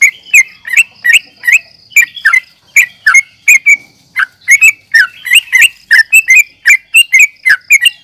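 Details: Agitated yellow-vented bulbul in nggaruda uplik tarung fighting style, meant to provoke rival birds: a long run of liquid chattering phrases, quick doubled notes packed close together, with one brief pause midway and a faint whine.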